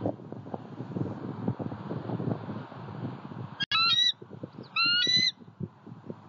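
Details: Southwest Florida eagle on a pond visit, 23 February 2020, picked up by a nest-area camera: two shrill, strained squeals about a second apart, after a stretch of crackling, rustling background noise.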